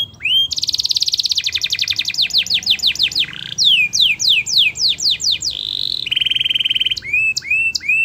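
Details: Canary song played to encourage reluctant canaries to sing: loud rapid trill, series of sweeping downslurred whistles, fast tremolo rolls, a steady buzzy trill, and closing rising whistled notes.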